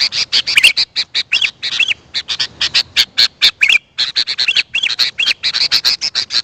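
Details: Sooty-headed bulbul calling, a recording meant to draw in wild birds: a dense chatter of hard chips interspersed with short, bending whistles, pausing briefly around the middle before resuming.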